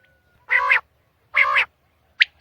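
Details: Common quail recorded early in the morning in Pakistan: two drawn-out, low, nasal, buzzy notes of equal length, then the start of sharp, high clipped notes at the end.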